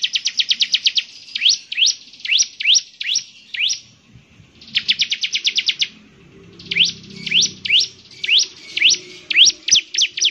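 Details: Bar-winged prinia singing vigorously. Its voice is described as distinctive and able to make other prinias answer. Quick rattling trills of high notes alternate with spaced, rising, whip-like notes, with short silences between phrases.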